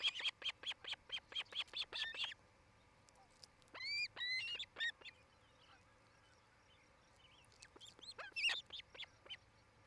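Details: Osprey at a nest watched by camera in Charlo, Montana, on 8 July 2018 around 5 pm: two seconds of quick high chirps, then scattered whistled, bending notes over a faint low hum.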